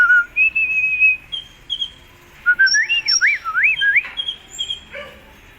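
A sunbird sings clear whistled phrases, from level held notes to quick wavering, rising-and-falling slurs, with a few thin high notes in a quiet background.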